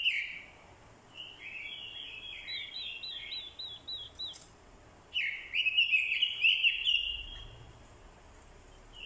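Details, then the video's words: Decoy orange-headed thrush, female calls used to provoke males into fighting song: a descending string of rapid high chips, then a loud, bright run of rich slurred warbling notes, in a quiet setting. "Chim Quế lâm mồi, hót đấu cực hay. kèm tiếng quế lâm mái, kích trống hót đấu hay."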